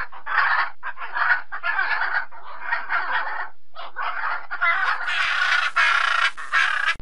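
A blue-and-yellow macaw gives loud, harsh, raspy screeches in near-continuous bursts, growing rougher and more grating toward the end.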